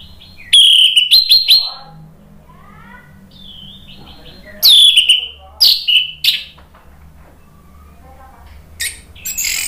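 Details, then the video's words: Orange-headed thrush lure song, ngeplong style, to make other birds respond: loud sliding whistles and chatter in separate bursts, with soft faint notes in the gaps between phrases. "PANCINGAN ANIS MERAH biar ikut NYAUT jadi BUNYI GACOR NGEPLONG"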